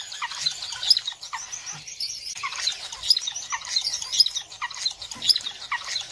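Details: Star finch, Neochmia ruficauda: steady chorus of high, thin chirps and tweets, about one bright note per second over a dense twittering background, with a short quieter gap near two seconds.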